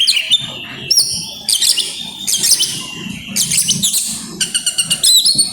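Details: Grabakan singing from an oriental magpie-robin releasing its isian: loud bursts of high, jumbled whistles and chattering trills, then a run of rapid evenly spaced staccato notes near the end, over faint low rumble.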